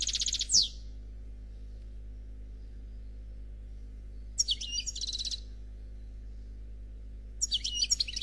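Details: Short bursts of khalwi song from a 'noir' European goldfinch, singing faultlessly: three separate scratchy twittering phrases, one ending in a downslurred whistle, with quiet pauses of several seconds between them.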